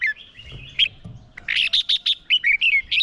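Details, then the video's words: Decoy red-whiskered bulbul in fighting song meant to provoke wild birds: a thin drawn-out whistle, then a quick run of bright clipped notes and a few falling slurred whistles. "Chào mào mồi hót đấu gọi bổi căng lửa"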